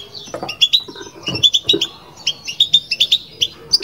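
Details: Batbata song from a kept European goldfinch: crisp, evenly spaced tinkling chips and short twittered notes in quick succession, low clicks early on.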